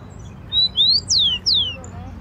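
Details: Rufous-collared sparrow singing in Brazil: four clear high whistled notes, a soft rising one followed by loud slurred notes sweeping up and down, in quiet background.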